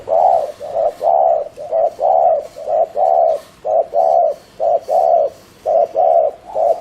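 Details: Caged spotted dove kept as a decoy, cooing in the fast 'gù' style meant to provoke and attract wild doves: loud mellow coos repeated rapidly, roughly one per second, in an uneven paired rhythm, with no other sounds.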